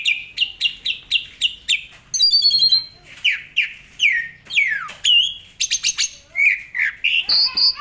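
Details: Asian pied starling in busy 'gacor full isian' song used to tutor other songbirds. About five regular whistled notes open it, followed by a buzzy rattle, swooping slurred whistles and a closing high chatter.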